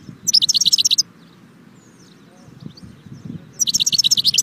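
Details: Two bright phrases of fast, high, tinkling notes from a goldfinch, separated by a few quiet seconds with a faint low hum underneath.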